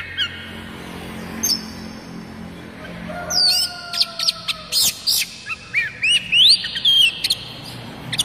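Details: Oriental magpie-robin song used to get magpie-robins singing: sharp clicks and chips, faint steady low whistles, then a burst of rapid rising whistled notes and one long up-slurred whistle.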